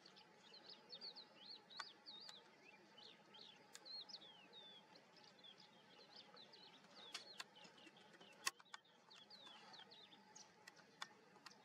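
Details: A dense flock of lesser flamingos at Sambhar Lake, Rajasthan, India, calls during a pre-breeding group courtship dance by males, keeping up a constant high, nasal chatter of short overlapping calls over a faint hum and occasional sharp clicks.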